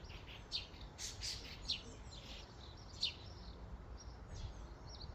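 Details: Common starlings in a flock at a feeding station give sharp, high chirps in scattered bursts, some clicking, spaced about a second apart over a low background rumble.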